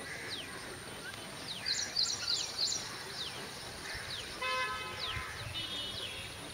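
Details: Drongo, locally called karichan, recorded in the afternoon: faint, quick downward-sliding whistles repeated irregularly, with a burst of bright high chirps midway and a car horn's steady tone near the end over a low rural background hum.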